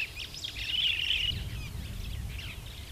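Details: Superb starling (Lamprotornis superbus) in Kenya giving a busy run of high, chattering whistles and squeaky notes, with a low rumble of wind or traffic underneath.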